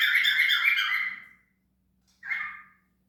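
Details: Cockatiel letting out a loud, raspy chattering squawk lasting over a second, followed after a pause by a shorter harsh chirp; a low steady hum sits in the background.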